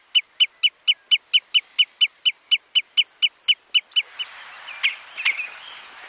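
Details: Common redshank (Tringa totanus robusta) at Flatey, Iceland, in June 2019 gives a rapid run of about sixteen sharp, high piping notes, roughly four a second, then fading into soft wind-like rustle with a few faint notes.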